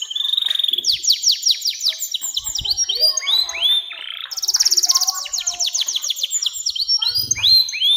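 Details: Canary in long continuous song, used to prompt young canaries and tutor birds: fast repeated high notes in runs, downslurred whistles, and dense trills following one another without pause.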